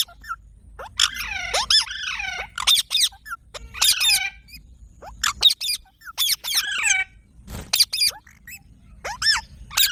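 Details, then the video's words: Parrot vocalizing with varied squeaks, harsh squawks and warbling arched notes over about ten seconds, a low hum beneath. "Funny Parrot Sound Videos | Parrot Sounds Videos Compilation"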